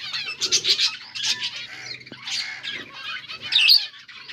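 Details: Finches feeding on green food, recorded August 17, 2024, give bursts of high chirping and twittering with a click near the middle and a louder squeaky note toward the end.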